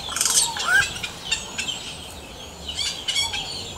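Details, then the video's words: Yellow-rumped cacique (xexéu) singing in the wild: a busy run of high chirps, clicks and a short rising whistle, with bright buzzy bursts early and scattered sharp notes later. "CANTO DO XEXÉU"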